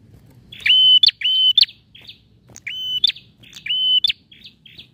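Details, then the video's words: A male bar-winged prinia sings actively, giving loud, high, buzzy notes that each end in a sharp upward flick, in pairs with short chips between, over a faint low rumble; the song is used to lure silent prinias into singing. "PRENJAK JANTAN GACOR"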